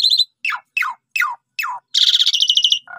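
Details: Asian pied starling song used as a lure to make other birds sing: short bright notes, four descending slurred whistles, then a buzzy rattling chatter and a low nasal closing note.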